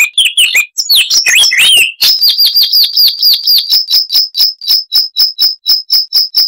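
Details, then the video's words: A jumble of liquid warbles from a Chestnut-vented warbler gives way to a long, even string of about twenty sharp, high repeated notes, loud and clear. "Masteran Burung Luar Negeri Suara Asli Kristal HD - Chestnut-vented Warbler (Sylvia Subcaerulea)"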